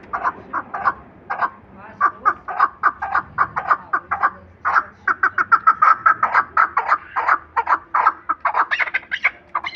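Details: Chukar kept for hunting, calling in a long series of dry clucking notes that start spaced, then quicken and bunch together midway before loosening again, with a soft low rumble behind.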